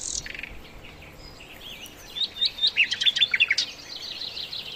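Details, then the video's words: Flycatcher (sikatan londo) in full song: a high, rapid warble of thin whistles and twitters, building to a bright burst of quick notes midway before easing back. "masteran mewah sikatan londo gacor"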